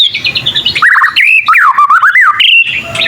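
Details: White-rumped shama, a young bird learning, giving a rapid high twittering run followed by clear, wavering whistled slurs rising and falling, ending with sharp chips.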